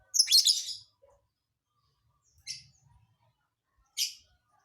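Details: Lovebird singing an unpredictable song: a long gritty chattering burst, then two shorter harsh chirps spaced about a second and a half apart.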